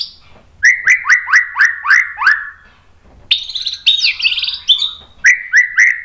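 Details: Provoking song of a white-rumped shama to stir other shamas into singing: a run of repeated upslurred whistles about four per second, then a burst of high buzzy twittering, and the whistled series returns.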